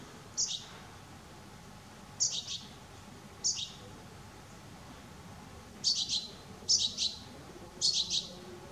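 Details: Juvenile Eurasian goldfinch giving short high thin calls, single or doubled, repeated irregularly every second or so, over steady low background noise.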